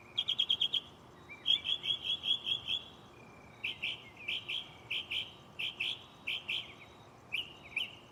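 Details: Night song of a mockingbird perched in a tree next to the recorder, switching phrases: a fast trill, then a run of even chirps, then varied sharp notes repeated in pairs and threes.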